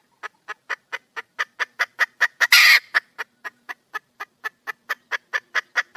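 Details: Wild junglefowl hen seeking a male, repeating clipped clucks that speed up toward a single loud, rough squawk and then carry on at an even pace.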